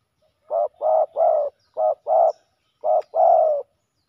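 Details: Fighting male spotted doves at a ground-decoy spot: a run of husky coos in short-long clusters, the last note drawn out and slightly falling, no other sounds.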